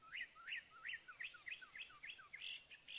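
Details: Northern mockingbird delivering a rapid string of rising, slurred whistles, roughly three per second, ending in higher notes, against a steady background hiss.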